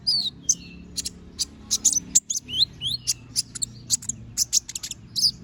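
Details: Konin or little spiderhunter in full sharp song: dense, fast, high chips and squeaky upslurred whistles, nearly continuous, with a steady low droning background throughout.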